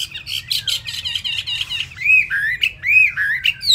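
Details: Chinese hwamei, a kept bird with feathers not yet dry, sings rapidly: a run of fast bright chirps, then longer looping whistled slurs rising and falling.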